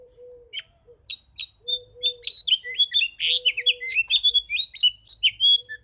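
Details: House finch song starting with a few separated chirps, then building into a fast, tumbling warble of high slurred and buzzy notes; a low, steady hooting tone repeats softly underneath.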